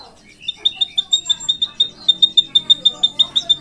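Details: Drongo in full, vigorous song with a long roll ('ngeroll panjang'). After a few lower slurred notes, sharp high whistled notes repeat about three times a second in a steady run.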